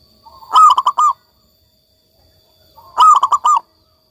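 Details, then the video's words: Local zebra dove singing: two brisk phrases of four or five stuttering, resonant coos, about two and a half seconds apart, over a quiet background. "perkutut lokal gacor"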